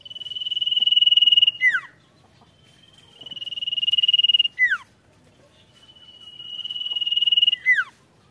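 A high, steady rattling trill held about a second and a half, ending in quick downward-slurred notes. The phrase repeats roughly every three seconds.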